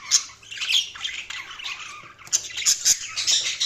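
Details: Budgies chattering together, quick high squeaks and twittering warbles in tight succession, with a short quieter gap near the middle before a fresh burst of sharp chirps.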